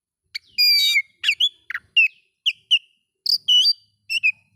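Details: Song of an oriental magpie-robin used to provoke others of its kind: a long harsh harmonic note followed by a lively string of short whistled slurs and sharp chips.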